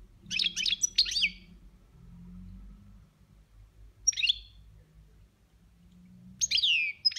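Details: European goldfinch kept at home, singing boniments: clusters of fast, liquid twitters and downslurred notes, a tight double burst, then single phrases spaced by pauses of two to three seconds over a low murmur.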